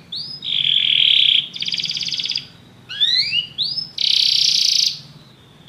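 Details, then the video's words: Canaries sing together after hearing music; long buzzy rolling trills alternate with short rising whistles and upward slurs, over a faint low hum. "muitos canários cantam junto depois de ouvir essa música"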